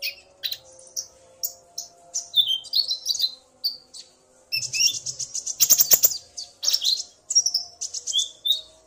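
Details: Common iora duet, a male excited by the female's call: lively chattering with high whistles and slurred notes, building into a dense, loud stretch of rapid twittering in the middle.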